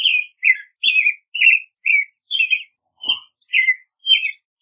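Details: Long run of about ten caroling phrases from an American robin, short whistled notes alternating up and down at a steady, lively pace, with one brief low click midway.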